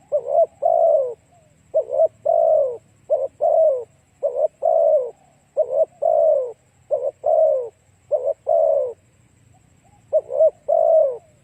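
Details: Spotted dove calling to draw in other doves: continuous low, soft coo phrases, quick stuttered notes followed by longer falling croons, repeated about once a second with one short break near the end.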